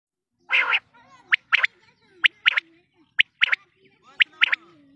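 A quail gives sharp, clipped notes in quick groups of two or three, about once a second, after an opening harsher burst, over a faint low hum.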